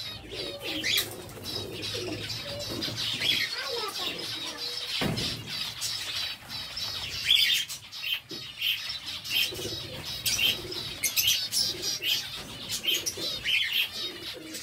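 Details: Kept zebra finches calling in a busy group, with bright, buzzy, nasal notes repeated in quick irregular runs, a broad wash of chirping from many birds, and one sharp thump partway through.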